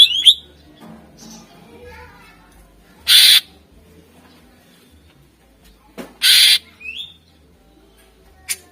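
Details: Greater green leafbird (cucak ijo), vigorous song used as a lure for contest birds: scattered soft warbles broken by two loud, harsh, hissing bursts, plus one short rising whistle.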